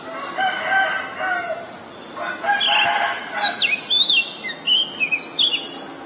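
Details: Oriental magpie-robin, a very common resident, recorded in Ubon Ratchathani, Thailand, on 23 December 2019 with a Nikon P1000: a rooster crows first, then clear, high whistled notes sliding up and down in quick varied phrases.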